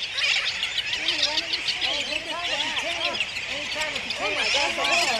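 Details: Sooty terns at Johnston Atoll, 19 June 2001: many overlapping nasal, arched calls rising and falling in pitch, crowding together into a dense, continuous colony chorus.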